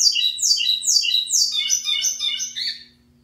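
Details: Local lined seedeater (pico plat) singing strongly: a fast series of loud, descending buzzy sweeps repeated about twice a second, then a busier jumble of high chattering notes that fades out. A steady low hum sits underneath.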